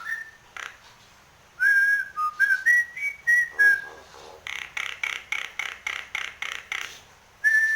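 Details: Nias hill myna singing vigorously with head-bobbing and special fill phrases: clear whistled notes near mid pitch, stepping up and down, then a fast train of about a dozen harsh broadband clapping pulses, ending on another whistle.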